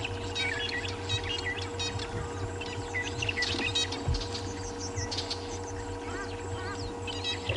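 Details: Several Fork-tailed Drongos trade harsh, metallic, robotic-sounding chirps and twangs in quick overlapping bursts, a morning chorus heard at sunrise on a January safari drive, over a steady low engine hum.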